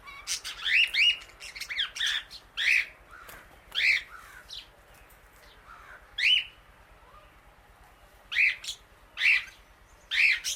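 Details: A female Indian ringneck parakeet outdoors eating grass with many birds around gives sharp, harsh calls in short clusters, with pauses of one to two seconds between them and a brief gap near the middle.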